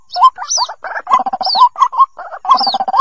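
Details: White-breasted waterhen chicks' calls, played as a lure to draw waterhens out of bushes: rapid chattering bursts of short upslurred notes with higher thin squealing slurs, irregular and continuous.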